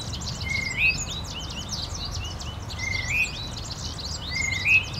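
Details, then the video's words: Tufted titmouse calling in spring, a scruffy wild male often in fights: three level whistles each ending in a sharp upward flick, about every two seconds, amid a busy chorus of higher chirping birds. "Tufted Titmouse spring call"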